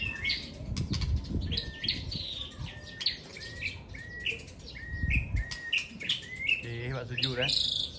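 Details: Aceh white-rumped shamas kept caged and pitted in a singing contest; a rapid series of short whistled notes, many with quick downward slides, ending in a harsher buzzy burst near the close, with low rumbling background.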